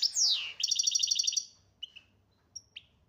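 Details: A European goldfinch from Algeria gives a steep descending whistle, then a quick bright rattling trill of about a dozen notes, followed by a few soft isolated chips.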